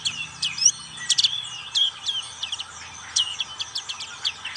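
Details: Black-capped white-eye singing in the ngriwik style: a lively string of high, thin chirps and quick twittering notes, some sliding up or down, delivered in irregular bursts with little background sound.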